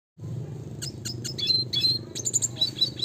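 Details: Red siskin (Spinus cucullatus) in classic gacor nembak ngeroll singing style, used as a training lure: sharp high chirps and short twittering notes begin after a brief pause and run in quick bursts over a steady low hum.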